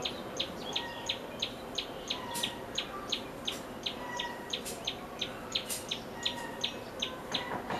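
A common tailorbird gives sharp, high chipping notes, nearly three a second, in a steady run. Soft lower whistles from another bird and faint background hiss are also heard.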